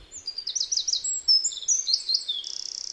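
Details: Eurasian wren (Troglodytes troglodytes) song: a fast, loud, high-pitched cascade of varied trills and whistled notes, ending in a rapid dry rattle.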